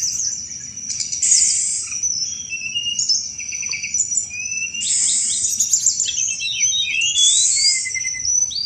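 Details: Sunda robin, recorded as a lure for all kinds of thrushes, pouring out harsh buzzy chatter bursts alternating with quick whistled slurs, set over a steady high-pitched background hum.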